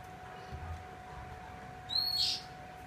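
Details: Female Oriental magpie-robin giving one short, high whistle that sweeps upward, over a steady low electrical hum.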